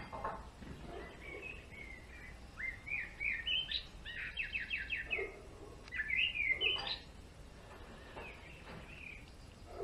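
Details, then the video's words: Male greenfinch singing in a garden: bouncy twittered notes and a rapid, evenly pulsed trill, then another twittering burst, with quieter gaps and low background noise. "Verdone maschio !!"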